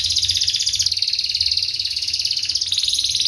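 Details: Tight, rapid rolling song of a canary played to teach young canaries: an unbroken high buzzy trill of fast pulses that steps down in pitch and then rises again near the end.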